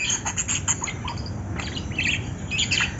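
Lovebirds chatter in a busy overlapping stream of shrill, high chirps and squeaks, several birds at once, over a low steady background hum.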